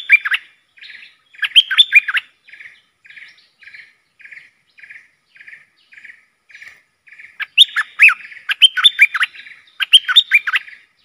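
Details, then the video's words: Decoy bulbul singing agitatedly against rival wild birds: loud, bubbling, fluty warbled phrases at the start and end, separated by a steady series of short buzzy notes repeated about twice a second. "เสียงนกดอกแตงEp.120 จ้าวขุนศึก ของขึ้น!!? 2หลักนกป่าหายหมด Suara pikat merbah lekir"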